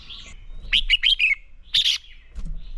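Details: Red-whiskered bulbul giving a fighting song used to train birds. A quick burst of rich, slurred whistled notes is followed by a second short, loud chattering phrase, with faint thin whistles in the background.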